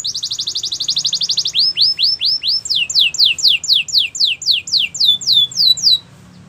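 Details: Gloster canary in song: a fast high trill of rapid notes, then a series of looping, swooping whistled syllables repeated about four times a second, ending abruptly.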